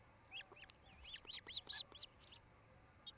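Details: Osprey at a treetop nest near Charlo, Montana, where a breeding pair is nesting: a series of high, short, rising-then-falling whistled chirps, irregular, some paired, over faint background hiss.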